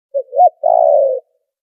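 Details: Spotted dove lure call, cleaned of background noise: one three-part phrase of short coo, rising-falling slur and long rolling croo, mellow and low, with nothing else heard.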